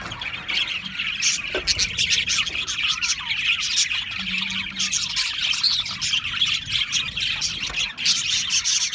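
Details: Australian parrots chirping together: a dense, continuous wash of high twittering and warbled chatter from many birds, with quick overlapping notes and occasional brief sharper squeaks, and a faint low hum beneath.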